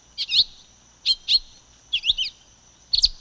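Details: Silver-beaked tanager delivering a few sharp chirps and a tangled double note, spaced about a second apart, over a quiet steady high-pitched hiss.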